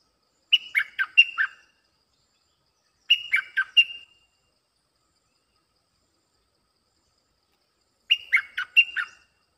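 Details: Bulbul lure song for wild birds: three short bubbling phrases of four to six quick slurred notes each, the first two close together, the third after a long pause, with clean silence between.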